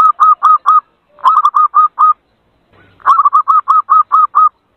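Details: Zebra dove lure call used to attract birds: short hooked cooing notes repeated rapidly in three bursts of roughly four, eight and eight notes, separated by brief pauses.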